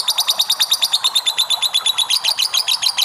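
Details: Lovebird delivering ngekek, a long chattering song for training: shrill, rapid notes in a rattling run, with varied, slightly warbled elements in the second half.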